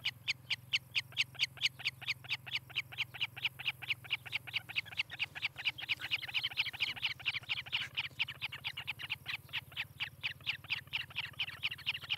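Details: Osprey at a Charlo, Montana nest, nest camera, 18 July 2018, morning: sustained high, whistled chirping at around four to five notes a second, growing harsher and denser midway, above a continuous low electrical hum.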